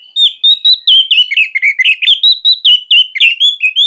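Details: Captive orange-headed thrush (anis merah) in loud, fast song, used to tutor juvenile thrushes: a dense run of sharp whistled and slurred notes, rising and falling, some two per second, with no other sounds.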